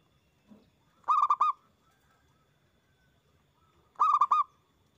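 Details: Zebra dove lure recording of a loud local perkutut. Two phrases of four rapid, rolling coos about three seconds apart, preceded by a faint low sound.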